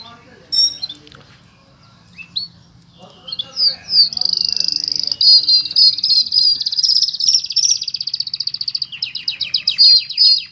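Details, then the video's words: Oriental magpie-robin imitating crickets: after a few scattered chirps and a quiet stretch, a long, steady, high buzzing trill of rapid pulses runs for several seconds, ending in clipped chirping bursts. "Kacer mewah full isian jangkrik"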